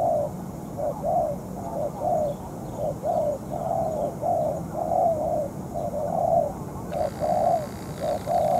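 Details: Moulting spotted dove kept as a trapping decoy: repeated low, rounded coos in uneven clusters, about one a second, with a faint high chirping in the background.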